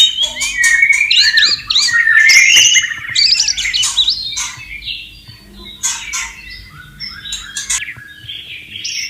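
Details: Free-living white-rumped shama by running water delivers tumbling whistled phrases and buzzy notes, loud at first, then softer scattered chips and short warbles.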